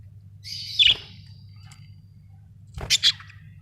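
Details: ['Budgies heard in a buzzy, sliding chirp that drops sharply in pitch, then after a quiet gap a quick cluster of three clicky chirps, with a low background hum.']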